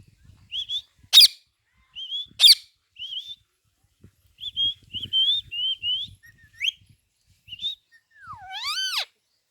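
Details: Pet Indian green parrot in India, said to be talking with its owner: short clear whistled notes, sharp loud screeches, and a final rising-falling harmonic call. Quiet room with faint low rumbles between calls.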